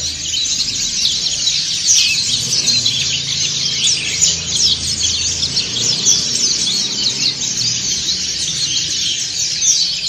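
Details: Massed ngriwik singing of many white-eyes, dakun and montanus types; a thick, uninterrupted blanket of shrill, rapid twittering notes over a faint low rumble.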